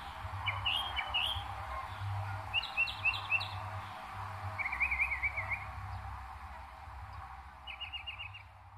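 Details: Northern mockingbird mimicking other birds, recorded in New Jersey in May 2021: short whistled and chattering phrases, each repeated in quick bursts before switching to a new one, ending with a rapid stuttered series, with a low throbbing hum throughout.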